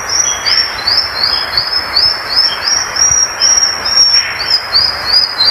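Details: Violaceous euphonia song: an unbroken run of fast, high, slightly upslurred trilled notes, bright and steady throughout, with a continuous hiss underneath.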